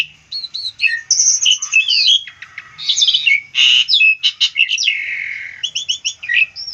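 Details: Song of an Asian pied starling, played as a tutor for other birds: a continuous varied medley of clear whistles, slurred notes, harsh rasping phrases and quick repeated chips, with barely a pause throughout.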